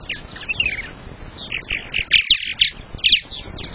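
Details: Purple martin at a nest box on camera during egg laying, the day the season's first egg was laid, May 15th, 2022: short bright chirps and a few sharp notes, growing louder and closer together toward the end.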